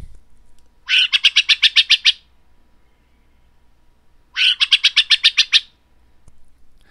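Burrowing Owl alarm call: two harsh, rapid chattering bursts of about ten scratchy notes each, roughly three seconds apart, with a quiet background.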